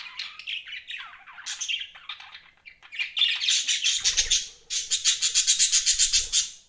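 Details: Budgies kept as pets give a dense run of chattering chirps and squawks, ending in a fast buzzy series of rapid repeated notes, several per second, in the second half.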